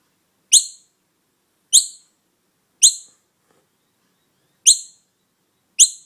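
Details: A young noisy miner, found alone with no mother in sight, gives five sharp, high chirps, each a quick downward flick, spaced about a second apart with quiet between.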